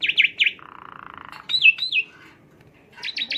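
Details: Song of an Asian pied starling used as a lure to stimulate a bird: three quick bright notes, a low buzzy trill, two falling whistles, a pause and a fast trio of sharp notes.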